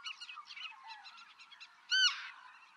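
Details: Black-tailed godwit, Pingtung County, Taiwan, 6 October 2015. Soft, rapid chattering notes lead up to a single loud, nasal, downward-bending call near the end.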